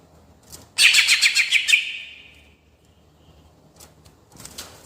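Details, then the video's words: Greater green leafbird, a caged songbird kept for contests, singing a rolling style used to provoke other birds: one burst of about a second of rapid, bright chattering notes pulsing several times, then a faint tail and quiet. "Cucak Ijo Gacor Gaya Ngerol Cocok Untuk Mancing Emosi"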